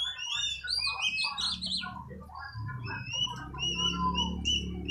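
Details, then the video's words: Oriental magpie-robin, just purchased and in training, in full song: dense run of varied whistles, chips and slurred notes, with a constant low rumbling background. "Latih burung kacer, Alhamdulilah bisa gacor"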